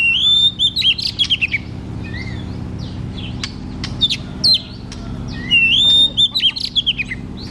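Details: White-rumped shama belting out song to prompt a lazy shama: two loud whistled phrases with long level notes followed by rapid chips, separated by softer scattered notes, over a steady low hum.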